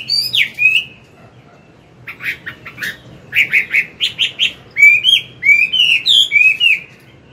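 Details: Adult wild Chinese hwamei singing in the morning to tutor a young bird: whistled slurs open, then a pause, then clusters of sharp chipping notes and a run of looping, wavering whistles.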